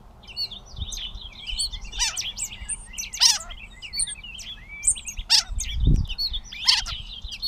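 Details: Gray catbird recorded in Bowdoinham, Maine, 16 May 2020: a disjointed series of mewing, chattering and whistled fragments, several sharp loud clicks, over a quiet outdoor background with a brief low thump.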